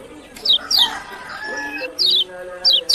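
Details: Short bursts of shrill, descending notes from a kecial kuning, the Lombok lemon-bellied white-eye, coming in pairs with gaps between, over soft, lower tonal sounds.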